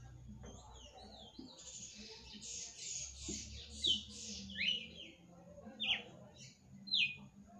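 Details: Red-cowled cardinal at night: soft warbled phrases and a burst of rustling noise, followed by four loud, steeply falling whistled notes roughly a second apart.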